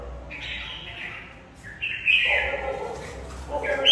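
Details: Red-whiskered bulbul, a competition bird singing in a fighting bout; a few loud, slurred whistled phrases with a husky, buzzy edge and lower harmonic bands, separated by brief pauses, over a faint steady background hum.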